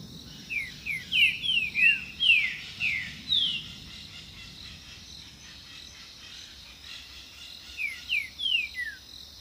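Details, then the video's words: Green-winged saltator, a very vocal bird, singing to defend territory and attract mates: a rapid run of about eight sharp downslurred whistles, a pause, then a shorter phrase, with constant insect buzzing behind. "A HARMONIA DO TRINCA-FERRO"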